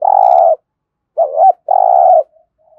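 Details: Thổ-voiced spotted dove from Đồng Nai, Vietnam, in competition cooing: a loud sustained low coo, a brief dipping and rising note, then a second long coo fading into faint murmurs.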